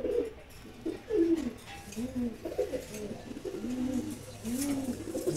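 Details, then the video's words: A pair of Silver Gorra pigeons cooing, with low, rounded coos repeated in close succession. Several overlapping, arching notes are heard, with faint background noise. "সিলভার গররা কবুতর জোড়া"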